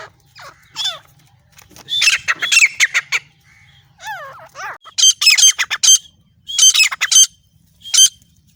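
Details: Francolin voice from a partridge hunting setting in the jungle: irregular bursts of harsh, descending squawks, then tight clusters of sharp, high, clipped notes in quick series, separated by short pauses over a faint low hum.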